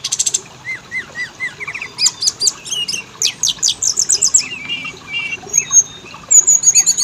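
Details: Oriental magpie-robin lure song, meant to make caged males and females start singing: rapid high buzzy rattles, then repeated rising whistled notes and dense trills, ending in sharp high chirps.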